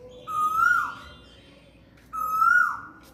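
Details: Asian koel in spring, perched in a guava tree in a house courtyard one afternoon, eating guava and calling: two loud, clear whistled notes about two seconds apart, each swelling upward then sliding down, over a faint hum.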